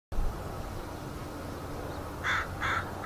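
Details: Crows chattering on a marsh in Richmond, British Columbia, Canada, on 16 May 2018, with a heron nearby: three short harsh caws late in the clip over steady low rumbling background noise.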